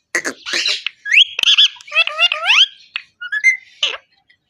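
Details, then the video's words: Talking parrot, its voice a rapid run of harsh squawks, clicks and bent whistled notes, several sliding upward, crowded together over about four seconds with short gaps and no other clear sounds. "Talking parrot"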